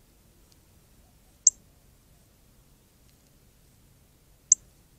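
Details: A red Northern Cardinal in the Arizona desert gives two sharp, high, metallic chips about three seconds apart over a quiet background, before bathing.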